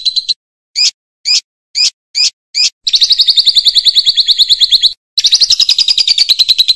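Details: Loud champion lovebird used as a training model for other birds: six separate sharp chirps spaced evenly, then long rapid buzzy trills with a brief pause between them.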